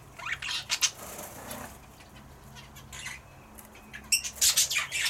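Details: A turquoise parrot pair: the male feeds the female when she briefly leaves her eggs, giving high, thin chirps and squeaky twitters in quick irregular bursts over a faint low electrical hum.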